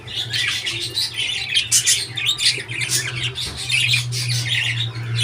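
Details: Continuous budgerigar warbling: a busy stream of rapid chirps, clicks and scratchy notes with a little squawking, over a steady low hum.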